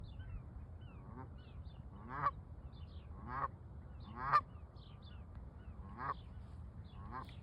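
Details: Canada geese on a pond give loud, nasal honks rich in harmonics, about six calls roughly a second apart, several sliding upward in pitch, over a steady low rumble of background noise.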